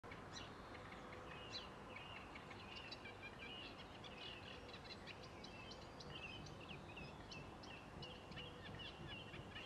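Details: A Eurasian reed warbler singing in short spring reeds by Sculcoates Lane, Hull, gives a continuous, chattering run of scratchy, repeated notes at a mid-high pitch, over a steady background rumble.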